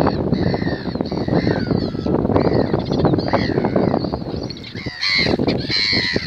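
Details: Gulls calling: harsh, nasal, repeated cries rising and falling, several overlapping birds, over heavy continuous rushing background noise.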